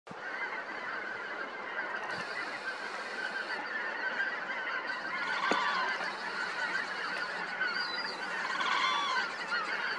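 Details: Wild red-crowned cranes (Grus japonensis) at the Imjin River give a steady chorus of loud, harsh trumpeting calls, many birds overlapping so the honks run together almost without pause.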